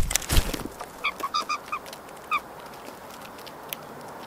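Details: Blue jays visiting a yard in Nova Scotia, Canada: a quick run of five harsh, nasal, harmonic calls, then one more after a short pause, over steady background hiss with a few clicks at the start.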